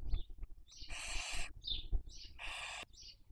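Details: Barn owl at a nest webcam in Cabañeros National Park, Castilla-La Mancha, Spain, raising young in the 2023 breeding season; two harsh, broadband hissing screeches of about half a second, with short higher chirps between them over a low rumble.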